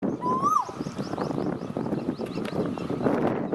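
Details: Asian koel giving a single clear rising coo note that swells and then drops off sharply, over steady broadband background noise and faint higher chirps.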